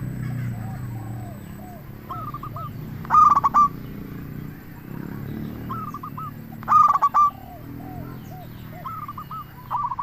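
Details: Local zebra dove singing as a lure to draw replies from other doves; loud rough coo bursts return roughly every 3.5 seconds, with fainter coos between, over steady low background noise.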